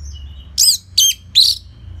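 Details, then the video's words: Orange-headed thrush in steady song used to draw out other birds: three bright, high, slurred notes spaced about a third of a second apart, after a faint thin whistle. "Dipancing Dengan Kicauan ANIS MERAH Gacor Selow"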